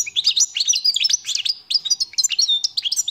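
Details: European goldfinch pouring out a continuous, fast, liquid twitter of high chirps and sliding whistles with scattered nasal notes, sung close and clear.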